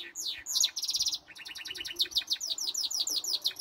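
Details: Goldfinch mule, a goldfinch and canary hybrid with some canary notes in its song, said to sing all day long: a dense, high run of rapid trills, buzzy repeated notes and quick rising and falling chirps with no pause.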